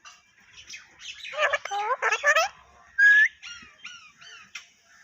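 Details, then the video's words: Parrot chattering in speech-like syllables with voiced, wavering tones, then a loud clear whistle, followed by several softer, short whistled notes. "Tota Boltay Huay Kesa Lag Raha Hai _Totay Ke Awaz"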